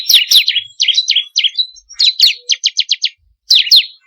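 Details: Bar-winged prinia lure recording meant to prompt kept birds to sing: varied twittering, with doubled falling chirps and a quick series of short, clipped high notes, separated by brief pauses.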